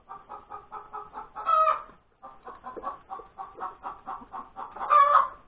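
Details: Domestic hen's egg-laying cackle, recorded at breakfast time on January 31, 2021. Steady rows of even clucks each climax in a loud harsh squawk, with a brief silence between the two bursts.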